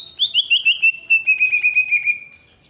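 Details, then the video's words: Greater green leafbird, Alas Purwo, Banyuwangi, East Java: a fast, rippling high trill of short whistled pulses that slowly drops in pitch for about two seconds, then fades. "Cucak Ijo Alas Purwo Banyuwangi2"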